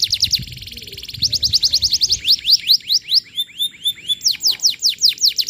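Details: Strong canary song recorded as a lure for young canaries: a rapid high trill, rising whistled notes, then a series of loud downward sweeps repeated at a lively pace.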